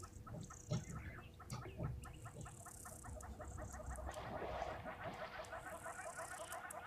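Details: Hornbills at a waterhole on 4 September 2023, apparently two individuals calling, possibly as display, courtship or pair bonding: a long series of rapid, evenly repeated hollow notes over steady background hiss and a constant low hum.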